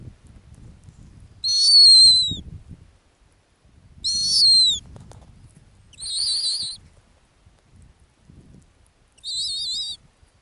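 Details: Female snowy owl on her Arctic ground nest repeats shrill whistled calls, four in about ten seconds at uneven gaps, the early ones falling in pitch, the last one wavering.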